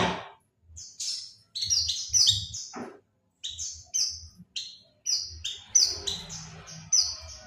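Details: Oriental white-eye lure call used to attract birds: bursts of thin, high chirps, each note sliding downward, given in quick clusters separated by brief pauses, with a faint low thumping underneath.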